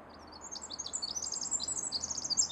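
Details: Pacific wren singing deep in Pacific Northwest forest undergrowth: a rapid, tumbling run of very high, thin notes and buzzy trills that grows steadily louder, with a faint steady background hum.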